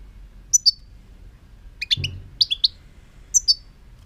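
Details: European goldfinch singing in a series of bright, high tweets and short slurred chirps, some doubled, with one soft low thump midway through.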